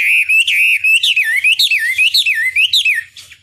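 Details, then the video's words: Chinese hwamei in song: a continuous run of loud, clear whistled notes sliding up and down in wavy loops, each phrase briefly separated, ending abruptly with faint twittering. "Pancingan Masteran Wambi Durasi Panjang Efektif Pancing Lwan Agar Nyaut Emosi Gacor"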